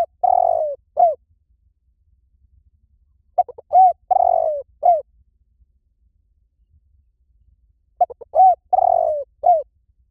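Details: A spotted dove gives soft, low cooing phrases, a couple of short notes then a longer falling croon, about every four seconds, played as a lure to train another dove to coo back.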